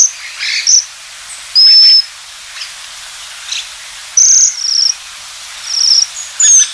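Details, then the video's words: {'caption': 'Japanese waxwing, a species breeding in eastern Siberia, Sakhalin and northeastern China and wintering south to Japan, Korea and eastern China: thin, high, slightly trilled whistles, each about half a second, given in scattered bursts, some overlapping, over faint background hiss.'} "朱連雀/Japanese Waxwing"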